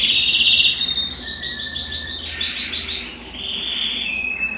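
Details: Belgian canary singing, a song to stimulate males and prepare females for breeding: loud buzzy trill at first, then rolling pulsed phrases and a long descending series of high repeated notes.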